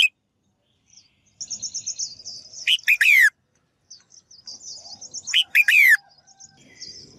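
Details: Female bird calling to stimulate males to sing actively: a series of rapid high twittering notes builds into a loud chirp and a sweeping downward slur, repeated twice about three seconds apart, with soft low background noise.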